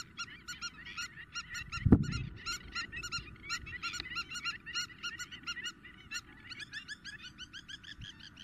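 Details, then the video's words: Spur-winged lapwing in Greece in April 2023, calling intensely: rapid series of sharp, harmonic, metallic notes repeated several per second, denser and overlapping toward the end, with a low rumble of background noise and a brief thump. "Αγκαθοκαλημάνα - Spur winged Lapwing intense call !"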